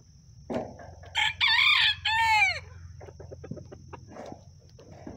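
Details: A bantam rooster gives one loud, hoarse crow: a short opening note, then a long strained phrase that arches and falls away. Soft clucks and scratchy background sounds follow.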